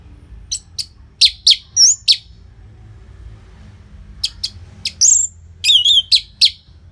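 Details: Caged-bird prompting recording of an Orange-headed thrush from Bali, Indonesia, singing loud high chirps and slurred whistles in two spaced bursts, quick notes grouped with short gaps between.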